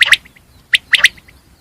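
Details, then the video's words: Brief common quail calling: loud clipped notes in quick clusters, a pause, then another tight double or triple burst of sharp high notes. "Best sound of 2022 Batir sound . common Quail sound"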